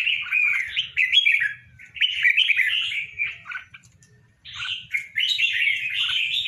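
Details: Caged, tame red-whiskered bulbul pair delivering sustained, bubbling warbles of jumbled slurred notes. A silent pause of nearly a second falls midway before the lively chatter resumes, over faint low background noise.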